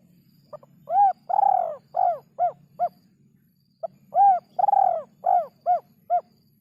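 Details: Spotted dove in a rare, hard-to-find song rhythm: two matching phrases of mellow coos, each a short note, a long drawn coo, then three or four quicker, clipped coos, over a steady low hum.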